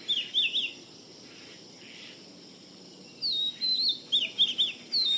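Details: Oriental magpie-robin, Kerala, singing loud varied whistles: a warbled phrase, a pause, then a longer run of sliding and trilled high notes, with constant hiss behind.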